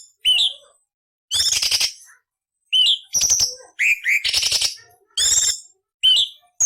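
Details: Cucak cungkok song as training material for magpie robins, leafbirds and shamas: short rising whistles followed by dense, harsh raspy bursts, repeated roughly every second and a half.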